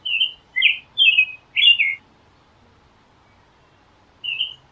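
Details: Four warbled caroling phrases from an American robin, then over two seconds of quiet before a further phrase begins, the notes whistled and slurring down.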